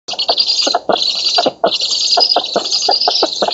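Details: Black storks at an oak-tree nest in Poland during feeding, 11:00 on 13 August 2017, give a steady high, wheezy hiss broken by quick rasping, clattering bursts several times a second, with a brief pause midway.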